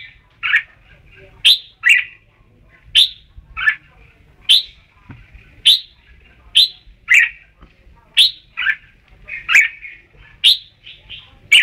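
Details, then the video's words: Red-whiskered bulbul giving sharp, bright chirped notes, often in pairs, repeated steadily about once every second, with a soft warbling murmur in between. "เสียงนกกรงหัวจุก บ้านส่อง"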